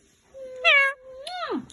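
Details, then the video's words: Pet Indian ringneck parakeet being silly and talking inside a small room; a steady, low hum-like tone broken by a brighter, harsh syllable, then a rising and sharply falling vocal sweep, followed by a person speaking. "Talking Indian Ringneck parrot"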